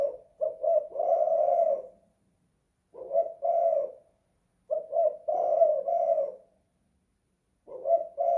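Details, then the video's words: A spotted dove inside a house coos in the kuk 2 / guk 1 style: phrases of two short notes and a longer mellow coo, repeated about every two to three seconds. "Tekukur kuk 2 / guk 1"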